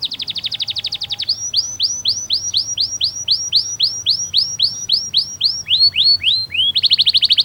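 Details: Domestic canary singing a masteran, a tutor song for young birds. A fast buzzy trill gives way to a string of high, down-slurred whistles about three per second, then closes with another rapid trill.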